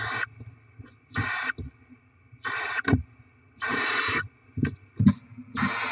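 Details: Barn owls feeding chicks on delivered rodents, 7 February 2024: repeated rough hissing screeches of varying length, some nearly a second, close together with knocks and scuffling sounds in the gaps.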